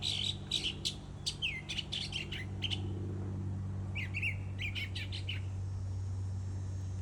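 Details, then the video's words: A bird sings bursts of quick sharp chirps and downslurred notes, pausing between bursts, with a constant low hum underneath and quieter stretches toward the end. "Bird singing"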